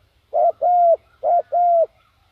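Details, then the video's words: Spotted dove kept as a lure for wild doves repeats a two-note phrase twice, a short burry coo leading into a longer smooth note that drops off at the end. "chim cu mồi gáy gọi bổi"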